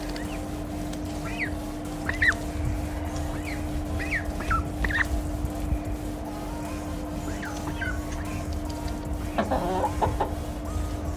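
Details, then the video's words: Hens calling at the back of a house before feeding, with ducks also there, giving short, sharp clucks at an uneven pace and a brief burst of calls near the end, over a steady low hum and farmyard noise. "నెక్స్ట్ ఇప్పుడేమో ఇంకా బాతులు కోళ్ళు అరుస్తున్నాయి బ్యాక్ సైడ్ వాటికి కూడా ఫుడ్ పెట్టడానికి వెళ్దాము"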